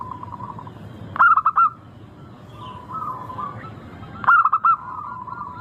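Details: A local zebra dove sings as a lure to prompt other doves to sing: two rippling coo phrases of four or five quick notes, three seconds apart, separated by soft low cooing.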